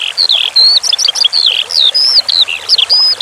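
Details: Skylark song: loud, clear, high-pitched notes in quick succession, mixing long level whistles, upward and downward slurs and short chirps, with faint flowing water behind.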